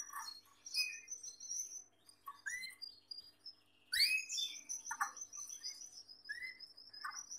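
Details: Male Gloster canary singing near a female: rapid high trills, sustained whistled notes and rising chirps strung into a long varied phrase.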